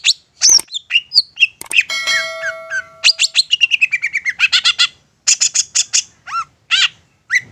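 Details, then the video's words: Long-tailed shrike (cendet), an insistent bird singing as a lure to provoke other shrikes into answering: rapid varied song of sharp chips, buzzy bursts, a descending run of short notes, and steady pure tones near the middle. "Apapun Cendet nya AKAN LANGSUNG MERESPON dan NYAUT lanjut GACOR dengan pancingan Cendet ngotot ini"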